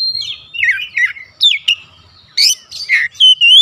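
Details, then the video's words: Oriental magpie-robin singing as a provoking lure for other magpie-robins: falling whistles, a few sharp upswept notes, and brighter slurred phrases, ending on a sustained high whistle. "PANCINGAN AMPUH KACER APAPUN DIJAMIN LANGSUNG NGOTOT KONSLET"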